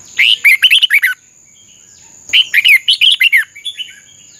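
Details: Contest-trained red-whiskered bulbul sings two rapid bursts of chirpy, slurred whistles, each phrase of about seven quick notes lasting roughly a second, with a constant high hum in the background.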